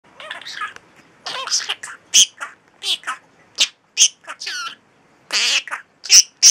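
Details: A pet talking bird shrieking "Pikachu" and doing a mimicked evil laugh over and over: harsh, high shrieks and cackling laughter in quick bursts with short pauses between them.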